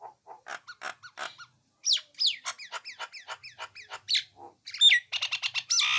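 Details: Nias hill myna in full song: clipped mid-pitched notes, then a brisk series of sharp downslurred whistles, a few lower notes, and a loud mix of harsh and bright high calls.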